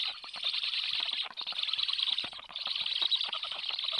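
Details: Black stork chicks at the nest during an evening feed at 19:54 on 30 July, the day's eighth feeding, make a continuous hissing, rasping chatter with a short dip partway through.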